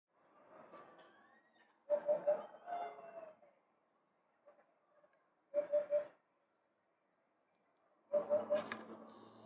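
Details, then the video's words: Eurasian hoopoe filmed on 12 April 2024 gives soft, low, hollow 'oop-oop-oop' triplets, three groups spaced a few seconds apart, over faint background rustling and other sounds. "Huppe fasciée"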